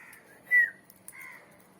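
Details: A tamed pet sun conure gives a short, loud squawk that dips slightly in pitch, then a softer, drawn-out note.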